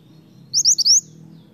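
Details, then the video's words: Snowy-browed flycatcher singing energetically, a recording meant to draw in untrained birds of its kind: four rapid, high, sharply rising whistled notes in about half a second, against a low background hum. "suara mantenan gacor untuk pancingan mantenan bahan"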